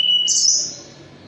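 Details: A Sunda robin in moult gives a short clear whistle that jumps to a higher, buzzy sustained note, which then trails off.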